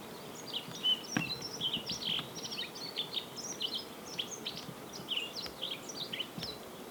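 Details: Male yellow-throated bunting, a winter visitor to Ina, Nagano, Japan, living in small flocks in bright open woods and parks. Soft, high, thin chirps and short twittering phrases follow quickly one after another, with a hushed background.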